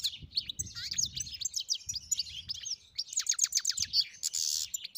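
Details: Singing European goldfinch delivering a dense, rapid jumble of high twitters, slurred chirps and a buzzy rasp, with faint low rumbling underneath.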